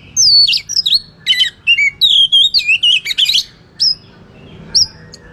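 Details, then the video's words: Kacer, the white-rumped shama, in full fighting song used to rile rival birds: a dense run of varied whistles, rasping bursts and wavering trills, then two isolated clear downslurred whistles after a pause. "SUARA BURUNG Kacer gacor isian NGEPLONG TARUNG ini paling AMPUH buat PANCINGAN KACER agar EMOSI"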